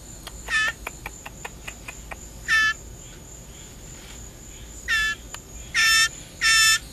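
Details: Hungry hand-reared blue jay during a feeding session: a run of soft clicking taps, then five loud, grating shrieks, the later ones longer and closer together, with a man urging it on.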